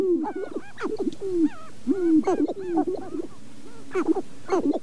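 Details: Sharp-tailed grouse at Namekagon Barrens in northern Wisconsin, recorded with a Canon 5D Mark II and two Sennheiser ME67 microphones: low, rapid clucking notes with interspersed rising and falling whining tones, several birds overlapping.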